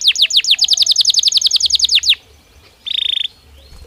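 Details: Singing Belgian canary meant as daily stimulus for training birds: a run of rapid descending whistled sweeps for about two seconds, a pause, then a brief buzzy burst of fast notes.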